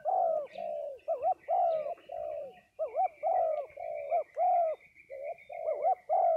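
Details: Spotted doves gathered in Đồng Tháp, Vietnam call in steady overlapping coos, each phrase a clipped note then a longer mellow hoot. A thin, steady high whine runs behind them.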